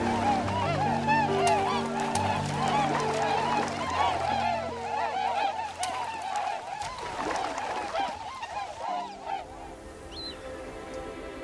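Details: A large flock of geese in Anatolian wetlands by farmland, where they feed in flooded fields, honks nonstop: many overlapping nasal, mid-pitched honks several times a second, over soft, sustained background music.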